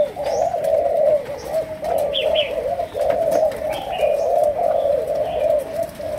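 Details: Malaysian spotted dove giving chiêu gù, sấm đồng coos, a chain of short, low, throaty notes repeated with tiny gaps. A few faint high chirps from other birds are heard.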